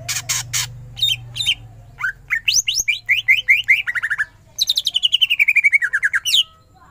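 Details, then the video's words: Greater green leafbird delivering lively 'ngentrok' song: harsh opening notes, then a rising series of quick slurred whistles and a long rapid trill of falling whistled notes, loud and varied. "Cucak ijo gacor full tembakan ngentrok"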